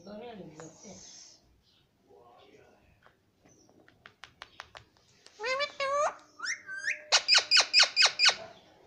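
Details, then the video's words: Talking house parrot: low voice-like murmurs, a few sharp clicks, then rising harmonic calls and a rapid series of about seven short, bright notes at the end. "Parrot speaking Mittu Mittu"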